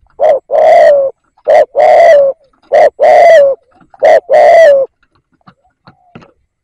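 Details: Spotted dove kept as a decoy bird to lure wild doves, giving three deep cooing phrases, each a short note followed by a longer, slightly falling coo, about a second apart; otherwise quiet.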